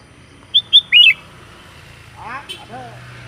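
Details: Sooty-headed bulbul calling companions with three clear whistled notes, the last slurred downward, followed by brief lower harmonic sounds.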